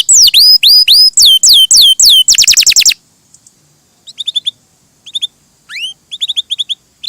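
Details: Canary singing gacor and melodious: loud repeated hooked whistles and a quick rattling burst, followed by quieter pauses with soft clusters of chirps and a rising whistle.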